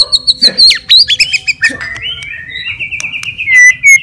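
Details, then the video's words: White-rumped shama provoking song with rapid high warbled notes sliding down into a long thin wavering whistle that ends in bright slurred phrases. "KICAUAN GACOR FIGHTER MENAIKAN EMOSI"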